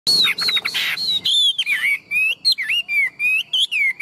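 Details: Tame, large-bodied Chinese hwamei, a strong singer, delivering loud clear whistled phrases: a buzzy rattling burst first, then sliding, looping notes repeated in quick succession, high and sweet.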